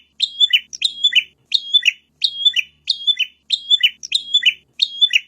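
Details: Bar-winged Prinia, called prenjak, singing for a training recording used to lure wild birds: eight rapid, shrill, twittering phrases repeated steadily, each a bright rising note sliding into a lower buzzy trill.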